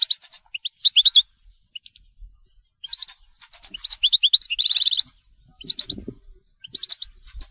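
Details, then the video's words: Goldfinch telqam song of liquid chirps and rising whistles leading into a harsh buzzy trill, followed by more bright twittered phrases and a brief low clatter. "Chant Chardonneret telqam"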